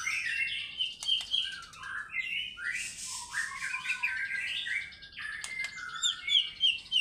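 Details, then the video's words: White-rumped shama in energetic fighter-style song, unloading its repertoire: varied whistles, short trills and chatter in uneven bursts, with a few sharp clicks in between. "MURAI BATU GACOR FIGHTER BONGKAR ISIAN"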